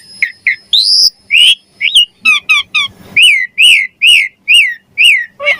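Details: Javan pied starling song for training songbirds: varied whistled and buzzy notes, then a run of repeated arched whistles about every half second, ending in a falling note.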